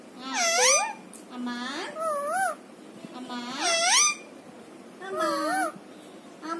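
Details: Talking parrot kept as a pet indoors, uttering a run of harmonic, wavering, voice-like phrases about every second, each rising and falling in pitch, with brief quiet gaps between bursts.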